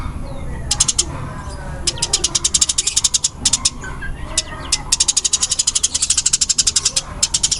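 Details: Eurasian tree sparrow of the burung gereja tarung fighting type, first scattered high chirps, then long rapid rattling runs of dense sharp notes, loud and tightly spaced, with a soft low background hum.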